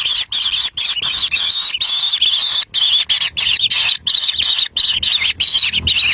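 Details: Kingfisher nestlings at the nest clamouring while a parent delivers a black lizard: shrill, raspy high squeals pour out continuously, broken by regular short silences.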